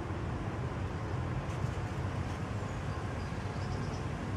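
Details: Steady low rumble of passing vehicles or a train fills the recording, with no animal calls standing out.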